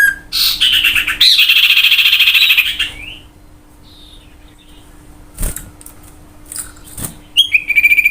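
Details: Common iora song used as a lure to get other birds singing: a long buzzy trilled note held steady, preceded by brief chirps, then a few faint high notes and sharp clicks.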